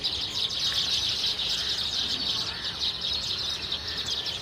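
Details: Flock of baya weavers in grassland or scrub chattering together, a steady high sizzling chorus of quick overlapping chirps with no clear pauses.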